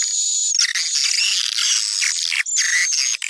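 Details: High, continuous swiftlet twittering played to attract swiftlets, a call popular in Sumatra: a dense buzzy chatter over a thin sustained whistle, pausing once briefly before resuming.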